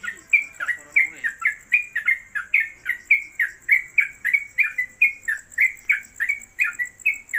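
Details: Trucuk (Yellow-vented Bulbul) kept caged, a newcomer singing at length in 'konslet kemedol' fashion and suited as a tutor bird: quick, clipped whistled notes repeated about three to four a second without pause, over a thin steady background whine.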